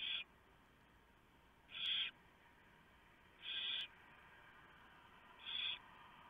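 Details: Barn owl nest at night in early November 2015. The male has brought a large mouse, which the female tears up to feed the owlets. Four rasping, breathy hiss-screeches, each short, spaced irregularly about one and a half seconds apart, with a quiet background.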